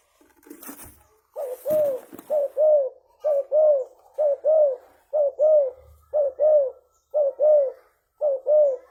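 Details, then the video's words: Frequently calling spotted dove of the leopard type, used as a lure; after a burst of rattling noise, nine regular double coos follow at about one per second, soft and low. "Tekukur Gacor Suara Besar_Bekur Super Gacor. Paling Ampuh Buat Pancingan."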